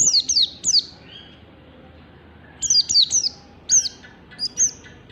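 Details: Oriental white-eye morning tutor song used to train pet birds to sing in the ngalas style: sharp, high whistled notes sliding downward, given in quick runs of two or three, with short pauses between runs.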